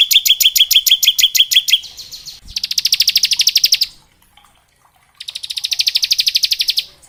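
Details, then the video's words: Bar-winged prinia in ngebren song for training young birds: a fast run of ringing chips, then two dense buzzing trills each about one and a half seconds long, separated by silence. "Suara Ciblek gacor ngebren syahdu buat Masteran ciblek ngebren variasi"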